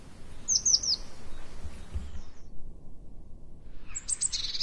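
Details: A Eurasian blue tit in a garden gives three quick, high, thin descending notes, then a brief scratchy high burst near the end, over low rumbling background noise.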